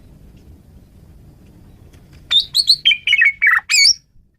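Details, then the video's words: Male Asian pied starling, recorded as a lure for training birds, bursting into a rapid string of loud chirps and descending warbled notes after a few seconds of low background rumble. "JALAK SUREN JANTAN GACOR BERVAREASI"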